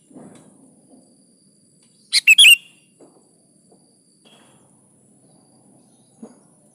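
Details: Sooty-headed bulbul singing gacor style to draw replies from other bulbuls: one loud, fast phrase of three bubbly whistled notes amid quiet, with soft low knocking sounds before and after.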